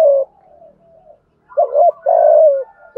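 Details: Spotted dove coo in thúc gù thổ-voice style for provoking decoy birds: a fading coo with soft trailing notes, a brief silence, then a strong doubled short note and a long level coo.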